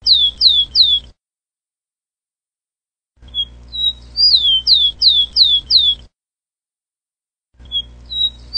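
Rufous-collared sparrow song: high, clear whistled notes that slur downward, repeated about three per second in short bursts, with a faint low hum behind.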